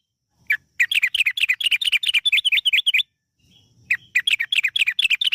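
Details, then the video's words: Yellow-vented bulbul in lure recording meant to set other birds singing, a long rapid 'gacor ropel' run: quick bright chirpy notes fired almost nonstop for two seconds, a short pause, then another fast burst. "PANCINGAN TRUCUKAN AGAR BUNYI burung TRUCUKAN GACOR ROPEL PANJANG"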